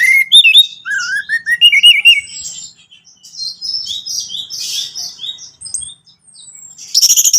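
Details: Orange-headed thrush song played for a captive bird: wavering, warbled whistles opening the passage, followed by scratchy high twitters and thin drawn-out notes, ending in a loud burst of rapid chatter.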